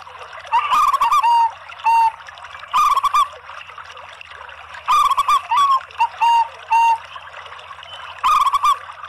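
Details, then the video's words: Zebra doves, both local and Bangkok birds, give lure song for other zebra doves: repeated short bursts of trilled, bubbling coos every one to two seconds, some phrases followed by single clean notes, over steady background hiss. "kolaborasi PERKUTUT LOKAL DAN BANGKOK ¦ PANCINGAN semua PERKUTUT"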